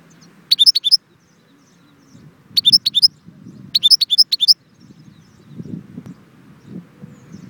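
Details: European goldfinch singing at Jbel Wahch, Constantine: three short bursts of bright, high, tinkling twitters, each under a second long, separated by pauses, over a low background rumble.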